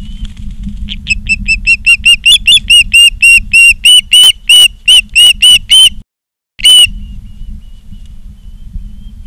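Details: At a Charlo, Montana osprey nest, 16 September 2023, late afternoon, a fast run of about eighteen sharp whistled chirps, several per second, breaks off briefly before one last chirp, over a steady low rumble.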